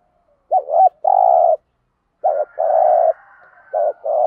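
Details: Spotted dove coo, used daily to get decoy doves cooing in reply; wavering two-part opening then a long steady coo, phrases repeating at a leisurely pace with a faint overtone hum.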